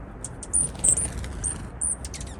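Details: Juncos visiting a feeder, giving thin, very high chirps likened to laser beams: brief zapping notes repeated irregularly over a low background rumble.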